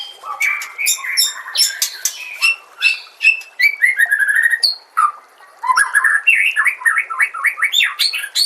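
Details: Varied murai batu song for training other shamas: quick choppy phrases of squeaks, chirps and slurred whistles, a short buzzy trill, a pause, then rapid rising and falling notes.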